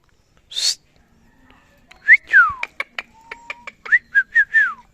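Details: Pet Indian ringneck parakeet talking: a sharp high note, then clear whistled syllables sweeping up and down, short clipped notes and a steady low whistle, ending in a run of rising-falling whistled phrases in a quiet room.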